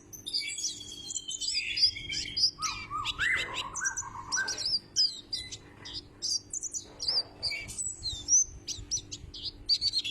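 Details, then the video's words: Twittering song of a white-breasted white-eye, a loud singer compared with the Sumbawa kecial: busy bright high chirps, some slurred whistled notes early on, then staccato tweets repeated at a steady pace. "Burung Kaca Mata Dada Putih,Mirip Kecial Sumbawa"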